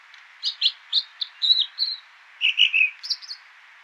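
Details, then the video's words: American dipper (water ouzel) song: a rapid string of bright chirped notes, a short pause, then a second burst of warbled high phrases, against a constant background hiss. "American Dipper (aka Water Ouzel)"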